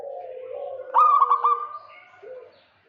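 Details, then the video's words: Local zebra dove in kerot voice calling to draw out a rival: one short burst of rapid, stuttering coos rising out of quieter, lower background cooing from other doves. "Perkutut lokal GACOR KEROT MANCING LAWAN"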